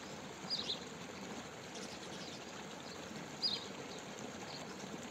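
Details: A pied bushchat (Saxicola caprata), described as a male flicking his tail, gives two brief, sharp, high chips about three seconds apart over a steady rush of running water.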